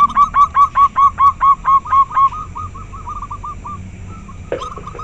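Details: Clear-voiced local zebra dove whose song sets others answering: about eleven loud, evenly spaced cooing notes in quick succession, each a short hooked coo, followed by softer trailing notes and one sharp note near the end.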